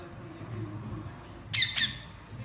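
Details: An Indian ringneck parakeet gives a single harsh, high squawk with a quick second note while fighting with another bird, over a low indoor hum.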